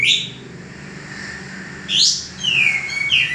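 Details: Male common iora used for training cage birds: a rising upslurred whistle, a faint steady tone, then a falling drawn-out whistle and short slurred notes.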